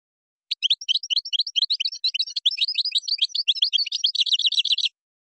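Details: Moroccan-style goldfinch singing gazrat and srrr bertbertiou: a four-second unbroken run of quick high chirps that speeds into a tight, regular rattling trill at the end.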